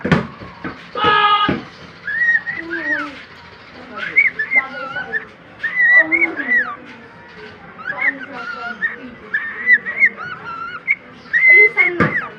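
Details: A pet male cockatiel sings a run of clear whistled phrases that rise and fall, with brief pauses.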